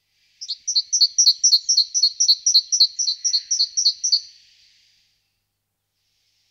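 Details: Great tit (Parus major) singing a steady run of paired high-low whistled notes, about fifteen pairs delivered evenly over roughly four seconds before falling silent, with no other sounds.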